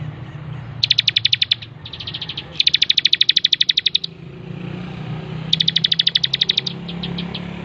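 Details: Master recording of a lively bar-winged prinia for training birds: several rapid, high-pitched trills of evenly spaced ticking notes, some longer than a second, separated by brief silences.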